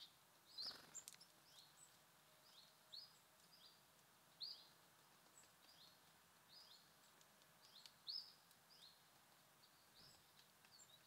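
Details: Wild birds visiting a feeder: thin, high, upward-slurred chirps repeated about every one to two seconds, with fainter twittering from other birds behind them and a steady hiss of outdoor background noise.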